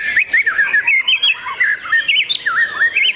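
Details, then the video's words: Caged young white-rumped shama, competition class, giving clear looping whistles in short bursts, each phrase a wavering rising-and-falling note, repeated several times in quick rhythm. "MURAI BATU PRESTIS SI MURAI MUDA YANG SPESIAL!!!"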